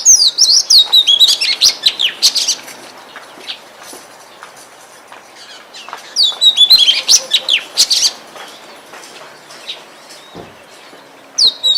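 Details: Oriental magpie-robin singing in the forest: energetic bursts of sharp, high whistles and chips, separated by quieter gaps, with a new outburst at the very end.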